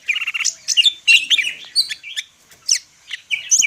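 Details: Dense, chattering song of a Medan-type greater green leafbird with imitated fills: overlapping scratchy chirps and twittering notes blending into a continuous jumble, with a pause before final clipped whistles.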